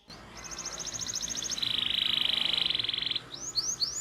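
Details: Canary trilling as a lesson for young canaries: a high rapid trill that shifts into a lower, louder rolling trill, then a few rising chirps over a faint background hum.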